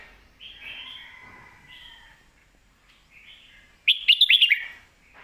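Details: Red-whiskered bulbul singing in the Thai styles called lak wai and mae bot: soft, drawn-out warbled whistles, then a sudden loud burst of five quick, rising, whistled notes near the end.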